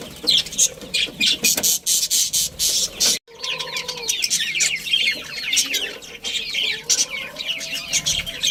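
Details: Budgerigar colony with a breeding pair: loud bursts of high chirping chatter, a short break, then softer warbled twitters mixed with a few drawn-out tonal notes.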